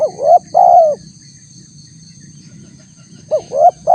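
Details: Spotted dove call used to lure wild doves: a rising coo and a long level coo, a pause of about two seconds, then the phrase begins again with a short upswept note, against a faint constant high tone.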